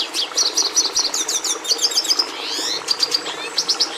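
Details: Red siskin (Carduelis cucullata) singing a lively high-pitched phrase: repeated chirps, a run of sharp whistled notes, then a drawn-out buzzy sweep and more quick chirps.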